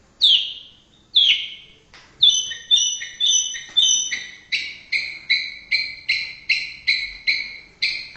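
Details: Indonesian white-rumped shama singing: two loud descending whistles, a rapid warbled phrase, then a steady run of about ten sharp, ringing two-toned notes repeated roughly every half second, clean and high-pitched with no other sounds.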